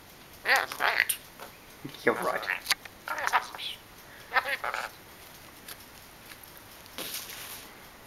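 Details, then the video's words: Pet lory chattering while arguing with its owner indoors, short rasping speech-like phrases and clicks in quick uneven bursts, with gaps of quiet room noise between. "Lori 15 - having an argument with me"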